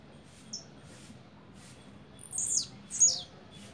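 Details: A blue-black grassquit delivers a double song late in the recording: two high, buzzy, falling notes in quick succession after a quiet stretch.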